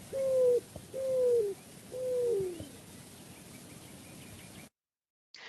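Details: Male greater roadrunner giving its coo call, a bird relatively close by: three low, down-slurred coos about a second apart, each starting strong and tailing off at the end, like a sad puppy.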